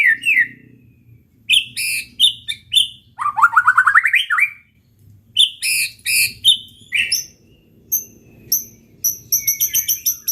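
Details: Provocation song of a white-rumped shama in full voice to stir up rivals: sharp high notes, a fast descending run of ringing notes, then bursts of bright chips and whistles separated by brief silences.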